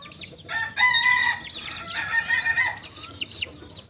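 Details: Kukuak Balenggek rooster, a native singing chicken breed from Solok, giving its tiered crow: a harmonic held note that rises and steps, broken off, then resumes more raggedly, amid busy chirping of small birds.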